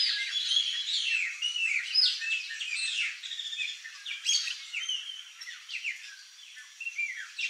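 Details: A flock of chopi blackbirds (Gnorimopsar chopi) at a feeder chatters in a dense, overlapping chorus of bright whistles and rapid chirps; song.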